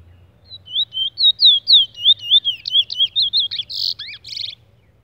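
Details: A chestnut-bellied seed finch, called a Trini bullfinch ("brown bird"), sings a quick run of about fifteen sweet, slurred whistles over four seconds, ending in a few harsher buzzy notes; faint low hum behind.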